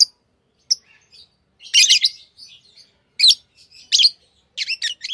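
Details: Pet lovebirds chattering: harsh, buzzy bursts with soft chirps between them, ending in a quick series of shrill notes.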